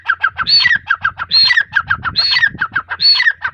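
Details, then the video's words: Teetar, a female grey francolin, calls in quick rhythmic bursts, each a loud squealing note with shorter choppy notes between, over a continuous low background drone. "Teetar sound | teeter voice"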